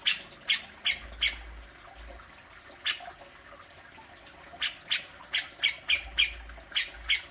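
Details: Grey-cheeked bulbul (cucak jenggot) giving its besetan, played to coax kept birds into calling: short harsh squawky notes in quick bursts, a pause mid-clip, then a faster run of rasping notes, with faint low background hum.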